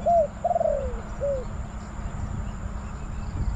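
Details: Decoy spotted dove luring wild birds at a Bang Li trapping site: a short coo, then a long quavering coo that slides down, followed by a single arched coo and steady low background rumble.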